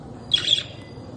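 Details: Pet budgerigar, a small parrot, giving a single short, harsh, buzzy squawk of about a third of a second over a quiet background hum.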